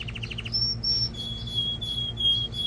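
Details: Male canary song meant to excite a female for mating and to train young birds: a quick rattle of short notes, then high thin whistles and a long steady high trill, with a low hum underneath.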